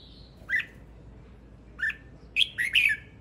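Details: Male red-whiskered bulbul giving short clipped chirps, two single notes a second apart followed by a quick cluster of louder whistled notes at the end.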